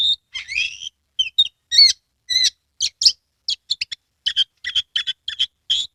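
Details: Caged Oriental magpie-robin in Kebumen, Central Java, in full song with its tail fanned. It delivers a varied run of sharp chirps, slurred whistles and rising notes, then a fast series of clipped, evenly spaced notes.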